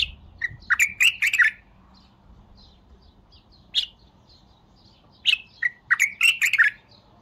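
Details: A bulbul gives repeated loud gurgling phrases of quick chirps, with one sharp single note between them and soft distant twitters in the background.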